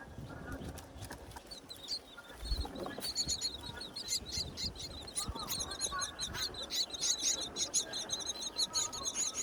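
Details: Wild myna chicks in a nest high on a tall palm tree during breeding season, fed by their mother. Dense, shrill, high chattering notes repeat rapidly throughout, with a low rustling background.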